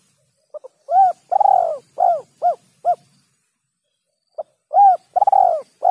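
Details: Spotted dove giving the rare kuk 3 lure call: soft clicks lead into a mellow coo, a long burry rolling coo and three short round kuk notes, then a second phrase begins after a pause.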